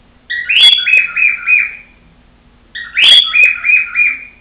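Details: Two matching phrases from a female pet cockatiel, each a sharp rising whistle followed by three or four quick chattering notes that trail off, about two and a half seconds apart.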